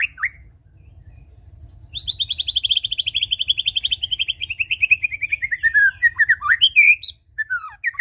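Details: White-rumped shama song used as a lure to make birds sing steadily: a brief note, a pause, then a long rapid run of bright repeated notes sliding slowly downward, ending in varied whistled phrases, over a low steady hum.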